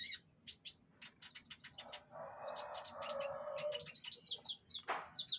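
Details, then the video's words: Canary in pengembunan delivering rapid bright chirps and clipped high notes over a rough, buzzy lower rattle in the middle, ending with a rising stutter of chirps. "pengembunan burung kenari"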